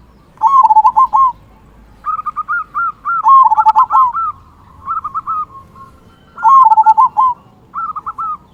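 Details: Zebra dove, a local bird that sings often with a big 'kung' voice, used as a lure for quiet birds. Repeated bubbling coo phrases come every few seconds, loud ones alternating with higher, softer stuttering runs.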